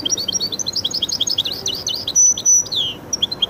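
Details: Goldfinch-canary hybrid delivering a quick bubbling string of high chirps, then two long pure whistles and a descending slurred note.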